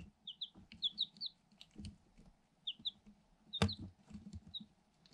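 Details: Eight incubator-hatched Light Sussex chicks a day old, pecking at a hole in their cardboard box and at a GoPro Hero 7 Black. High chirping peeps come in pairs and short groups, broken by thuds and a sharp knock.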